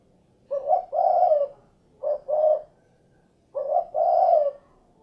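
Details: Derkuku, the spotted dove, giving three low coo phrases, each a short note followed by a drawn-out mellow coo, evenly spaced in a quiet setting.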